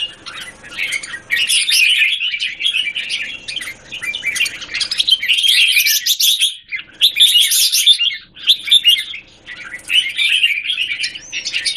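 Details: Caged red-whiskered bulbul singing in a square cage, recorded 17 January 2019: rich, fast phrases of bright chirps and warbled notes, delivered in bursts of one to two seconds separated by short pauses, with faint low background hum.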